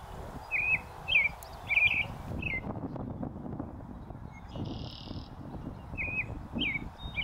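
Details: A leucistic American robin perched on a post in a northern USA oak savanna sings short, clear caroling phrases about every half second, pausing midway before resuming, over a steady low rumble with a brief buzzy note from another source.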